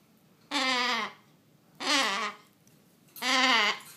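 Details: Pet triton cockatoo, happy after a shower, gives three loud, harsh, rich screeches. Each lasts about half a second and dips slightly at the end, with pauses of about a second between them.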